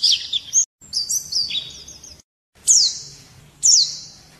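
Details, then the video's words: High, sweet twittering of a white-eye in the morning, given in short phrases separated by brief gaps, ending with two sharp descending whistled notes. "Nghe chim khuyên hót hay mỗi sáng"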